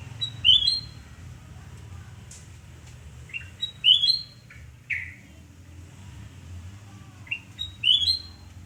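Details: A sooty-headed bulbul sings in Surabaya, Indonesia, on the morning of 29 November 2017 at home. It gives three clear, bright whistled phrases about every three to four seconds, with soft single notes between them, over a low hum.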